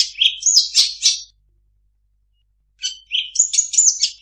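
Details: Long-tailed shrike song with imitated phrases: a burst of squeaky, scratchy whistles, a silent gap of over a second, then another rich run of high chirps and whistles.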